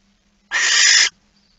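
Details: Male barn owl with a mouse, night of 15 September 2019: one harsh, noisy hiss of about half a second, abrupt start and stop, against a quiet low electrical hum.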